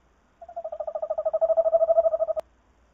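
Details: Male tawny owl visiting the female at the nest with an egg, 3 March 2019 at about 19:05: one quavering trill of about two seconds of rapid pulses on a steady low pitch, growing louder, then abrupt silence.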